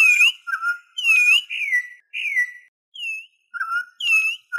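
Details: Venezuelan troupial song, used for teaching birds and attracting others: loud, clear whistled notes, some arching and some falling, given in rhythmic pairs with short gaps and no background sounds.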